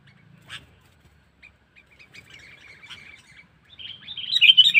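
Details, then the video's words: Sooty-headed bulbul lure call for attracting wild birds: scattered soft chirps and a thin twittering run that builds into a loud, bubbly chattering burst at the end. "Suara Burung Kutilang Pikat Cengkeram"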